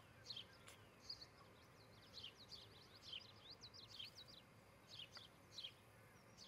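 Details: Osprey at its nest near Charlo, Montana, picked up by a nest camera on a July 2018 morning: thin, high chirps repeated in loose, uneven bursts over a steady low background hum.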